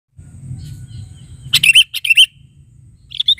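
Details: Sooty-headed bulbul calling: a burst of three short bright chirps with a trilled, wavering pitch, followed by a fainter similar phrase, over a low steady hum.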